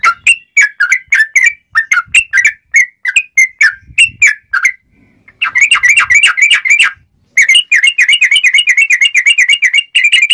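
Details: Sooty-headed bulbul song used as a lure for trapping wild birds: rapid chattering series of short bright notes, then dense bubbly trills, repeated fast with brief pauses.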